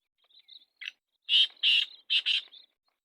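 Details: Black francolin calling in Sindh, Pakistan. Soft introductory chirps lead into a loud rasping phrase of four harsh, buzzy notes in two pairs, then a faint trailing note. Background is otherwise quiet.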